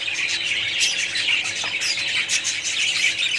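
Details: Many budgerigars in a colony calling at once: busy, high chirping and warbling overlap into a steady chatter, with a few sharper squeaks rising above the mass.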